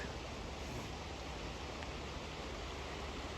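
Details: Steady rushing water, like a stream or surf, fills the whole stretch with no animal calls.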